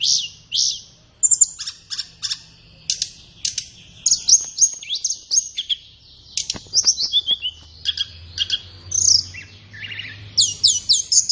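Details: Flowerpecker song recorded for training captive birds, played in the morning or afternoon. A long, varied sequence of high whistles, clicking bursts and fast chirps with brief pauses between phrases.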